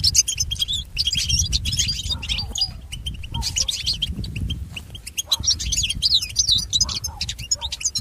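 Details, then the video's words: Goldfinch song for training and educating pet goldfinches: sustained, tumbling twitters and trills with some lower, nasal notes mixed in, growing busier after five seconds, with steady low background noise. "Listen to Goldfinch's most famous motivations for training and education"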